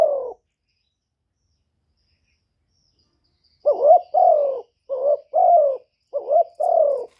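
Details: Cooing 'gáy gù' of a decoy spotted dove meant to rouse other doves: a phrase ending, a long pause, then three quick hollow phrases in a row, each a short coo leading into a drawn-out one, background quiet.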